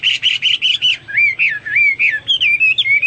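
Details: ['Singing Hwamei: five quick, evenly spaced buzzy notes, then a flowing series of clear, wavering whistles that rise and dip in loops, steady throughout against a quiet low hum.']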